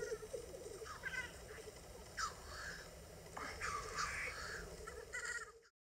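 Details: Black grouse males displaying at a spring lek in April 2020 on the Ketmen ridge, Dardamty hunting area, Kazakhstan, recorded on an iPhone; continuous low bubbling, rolling coos with several hoarse, hissing sneeze-like bursts rising above them.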